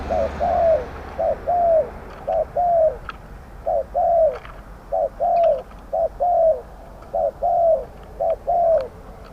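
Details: Spotted dove calling as a decoy in a Thai trapping pen for medium-voiced wild doves; a long run of about ten paired coos, short then longer and falling, delivered steadily with faint clicks and knocks between.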